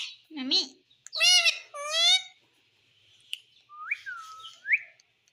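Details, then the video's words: Parrot talking: a warbling low syllable, then two loud harsh speech-like bursts, followed by softer rising whistled notes near the end. "Parrot Sound || parrot speaking everything"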